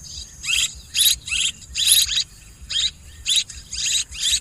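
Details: Swiftlet calls: harsh, scratchy high twitters in grouped bursts with brief pauses, some notes slurring downward, over a faint steady tone and low rumble.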